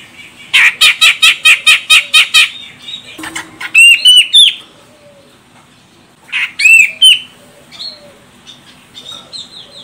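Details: Female grey-cheeked bulbul of the Medan, Sumatra type, calling to provoke a male into singing: a fast run of about ten harsh, chattering notes, then loud, sharply hooked whistles in short bursts separated by pauses.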